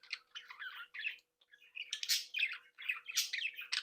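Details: Young budgerigars and their breeding flock chattering while playing and interacting: fast scratchy warbles and chirps, a brief pause, then louder harsh squawky bursts.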